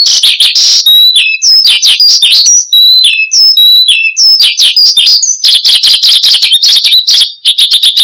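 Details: Prolific song of a branjangan (Horsfield's bushlark), meant as lure and master song for training cage birds: rapid high twittering mixed with clear whistled slides and buzzy notes, continuous throughout, ending in a thick chattering burst.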